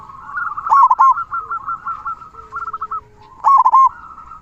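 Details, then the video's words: Local zebra dove (perkutut) with a big "kung" voice, singing steadily, used as a master song to tutor and stir quiet doves: rapid rolling, stuttered coo notes in tight bursts, with louder trilled phrases near the start and end. "Perkutut Lokal Gacor Suara Kung Besar Masteran Burung Perkutut Agar Bunyi"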